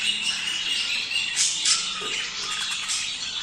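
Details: Budgerigar breeding-stimulation chatter: rapid, irregular chirps and squawks about four per second over a steady high hiss of many birds, with short whistled tones.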